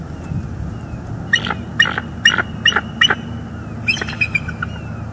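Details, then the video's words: Bald eagle pair at their northeast Florida nest on a September morning, talking after a rejected mating attempt. Soft spaced chipping notes, a short series then a brief later run, over low rumbling background. "Bald eagles; Gabby's not in the mood for mating this morning."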